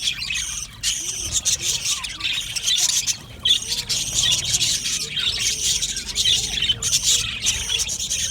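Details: Budgerigars chattering in an aviary colony, a busy wall of high, scratchy chirps and squawks from many birds, dipping briefly near the one-second and three-second marks before resuming.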